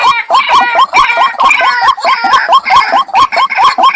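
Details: Repeated call of a White-breasted waterhen, used as a decoy. Quick, upturned croaking notes come a little over twice a second. Higher, busier notes overlap them throughout, giving a dense, chattering texture.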